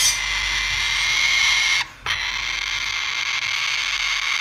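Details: A young male sulphur-crested cockatoo, still hand-fed two to three times a day, gives loud food-begging calls, a continuous harsh, hissing rasp, high and breathy, broken by one brief pause midway.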